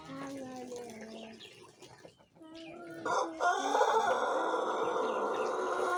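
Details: Young Pelung rooster, one month into learning to crow, recorded in the morning with an empty crop on a normal bran diet; soft harmonic tones open, then a loud, rough, sustained crow rises from about three seconds and holds to the end.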